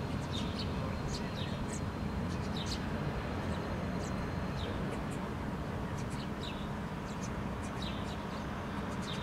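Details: Several house sparrows foraging on the ground in Helsinki, Finland, in July 2013, one female feeding her fledgling; short high chirps scattered throughout over a steady low rumble of traffic.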